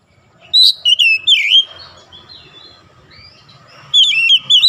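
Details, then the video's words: Oriental magpie-robin in morning sunlight, singing rich warbled phrases of bending whistles, pausing in near quiet, then resuming with a quick series of sharp looping notes; low background hum. "SINAR MATAHARI PAGI SANGAT AMPUH MEMBUAT KACER LEBIH GACOR"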